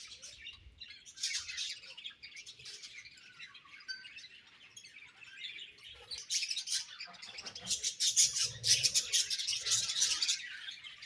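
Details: Pet budgerigars chatter softly at first, a low warbling murmur of high chirps that grows into a louder, rapid run of sharp twittering notes toward the end.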